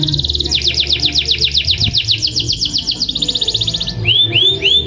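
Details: Long-roll canary song used to prompt other canaries to sing: a fast regular trill of repeated slurred notes that changes pitch partway, then looping rounded upswept chirps, over a faint low hum.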